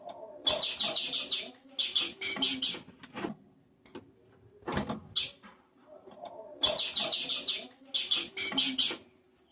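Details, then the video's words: Blue-black grassquit females calling to rouse males, 'macheando' style: repeated bursts of high, harsh, buzzy notes strung in quick runs of four to seven, separated by short pauses and faint clicks. "Fêmea de Tiziu macheando"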